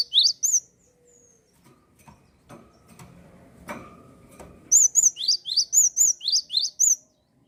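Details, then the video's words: Java sparrow singing eagerly, meant to stimulate untrained birds and those that quit singing: a few chirps at the start, a stretch of clicks and knocking, then a long regular sequence of alternating high and falling chirps. "gelatik gacor cocok penyemangat burung bahan & macet bunyi"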